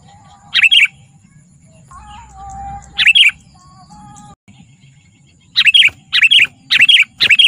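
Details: Sooty-headed bulbul singing, meant to attract wild bulbuls and teach caged ones: scattered bright chirps, a faint steady whistle-like tone in the background, then a quicker string of five loud, sharp notes.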